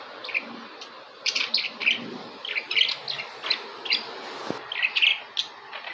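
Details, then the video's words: Budgerigars giving quick bright chirps and warbling chatter in short bursts, one following another across the whole stretch. "Periquitos australianos"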